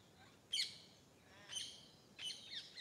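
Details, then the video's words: Bird calling in the morning with three loud, sharp chirping notes spaced about a second apart, each with a fast high flourish, against a hushed outdoor background. "Morning Nature Sounds - Bird Sounds"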